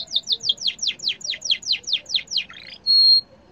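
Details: Yellow canary sings a fast run of bright, downward-sweeping notes, about six a second, then a brief twisting phrase ending on a clear, steady high whistle.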